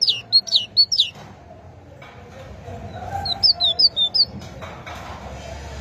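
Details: A great tit delivers two brief strophes of high, sharp paired notes, the first loud and close, the second softer, with a hissy background rising toward the end.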